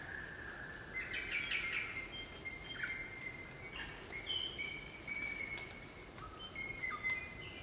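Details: Crimson rosellas, a group in Barrington Tops National Park, New South Wales, Australia; a run of melodic bell-like whistled notes at slightly shifting pitches, overlapping and repeated, with brief chatter, over soft bush background noise.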